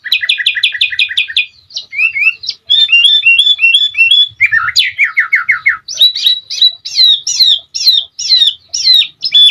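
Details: Tutor-style recording of a sooty-headed bulbul, played to make other birds sing: fast repeated clipped notes, a lower rolling trill, then a series of sharp up-and-down whistled phrases, continuous and lively.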